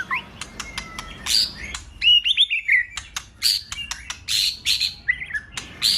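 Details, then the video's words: White-rumped shama male song used to provoke another male into singing: varied whistled and buzzy phrases mixed with sharp clicks and chips, with short pauses between bursts. "Pancingan suara burung murai, Meningkatkan Birahi Murai serta emosi Bongkar Isian!Murai batu gacor"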